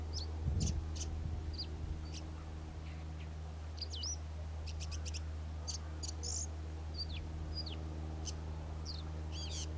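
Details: A Karoo scrub robin singing energetically, giving varied high whistles, sharp ticks and swooping upslurred notes at an irregular pace over a steady low engine-like drone, with a brief low thump near the start.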